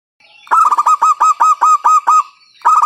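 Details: Local zebra dove with a loud voice, used as a lure to get other doves singing: a rapid run of about ten clipped, resonant cooing notes, then a fresh burst starting at the end.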